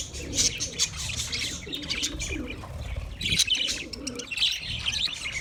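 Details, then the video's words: Budgies chirp in quick bursts of high squeaky chatter and short trills, separated by brief lulls, with low cooing notes and soft flutters beneath. "sounds of budgies chirping"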